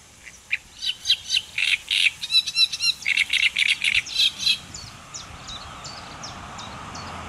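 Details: Great reed warbler in the Netherlands, 30 May 2014, sings a loud, harsh run of grating, croaking phrases, each note repeated several times, ending in thinner high notes.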